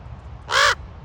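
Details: Raven at Ocean Beach, San Francisco, giving a single harsh, hoarse croak lasting about a quarter second, rich and grating, over a steady low rumble of background noise.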